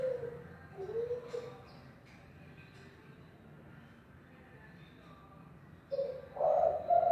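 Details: Spotted dove of the Kelantan type, kept as a cage bird and recorded as a model for training other doves: soft low coos near the start, a long quiet gap, then a louder burst of cooing at the end.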